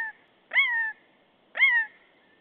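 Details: Common buzzard in Estonia, 25 March 2015: two clear mewing calls about a second apart, each a loud slurred note that starts high and glides downward, with a quiet background.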